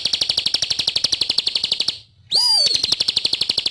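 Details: Bar-winged prinia (ciblek), a bird singing energetically for a training recording. It keeps up a steady stream of sharp, high pulsed notes at a fast even pace, cuts out briefly, then returns with a falling swoop before the trill.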